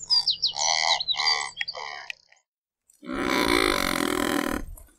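Razorbill giving a long, harsh, rasping growl lasting over a second, preceded by a few shorter nasal notes mixed with thin high whistled sounds.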